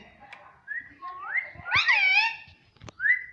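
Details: Pet talking rose-ringed parakeet, a ringneck kept at home, producing whistled, speech-like rising and falling tones with a sharp click between phrases.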